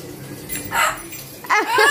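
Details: Amazon parrot talking: two short harsh, speech-like syllable bursts, the second pair with rising and falling tonal inflections, spoken Korean heard just after.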